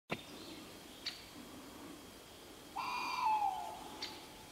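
A tawny owl gives one short, slightly harsh call that slides downward in pitch, set against a quiet background with a few faint clicks.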